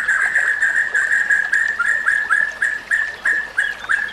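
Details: White-rumped shama, a training recording for other shamas: one sharp whistled note repeated about three times a second at an even pitch, some notes slurred upward.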